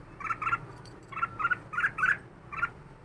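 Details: Red-whiskered bulbul, a two-year-old caged bird, gives short bubbly warbled notes, mostly in quick pairs, about seven bursts within three seconds, over a low steady background hum.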